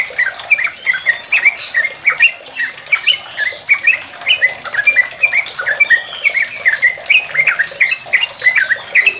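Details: Sooty-headed bulbul in long rapid ropel-style song, played as a lure to make other bulbuls sing: continuous bubbly, chattering mid-pitched notes tumbling quickly over a steady hiss.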